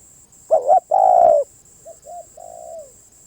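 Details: Spotted dove song, one loud phrase of two short bent notes and a drawn-out, downward-sliding coo, followed by a quieter run of two brief coos and a longer fading one; constant faint high-pitched whine behind.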